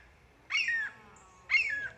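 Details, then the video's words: Red-shouldered hawk, a captive bird shown at a live bird presentation at Callaway Gardens on 22 June 2023. It gives two loud, clear, slurred screams, each dropping in pitch and lasting about a third of a second, about one second apart. "That is the call of the red-shouldered hawk, which is why we call them the Mariah Careys of the South."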